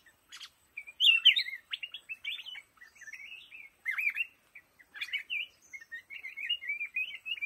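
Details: Black-crested bulbul in a bamboo thicket giving a lively chattering warble, short wavering notes strung together in irregular bursts, with a few faint high ticks mixed in.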